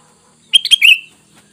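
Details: Wild sooty-headed bulbuls are said to answer this lure call immediately. One short bubbly phrase of three notes ending in a longer warbled slur, clean against a quiet background.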